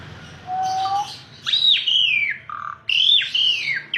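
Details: Asian pied starling song made of clear whistles: a steady mid-pitched tone, then loud high slurred notes that rise sharply and glide down, repeated twice with a short low note between.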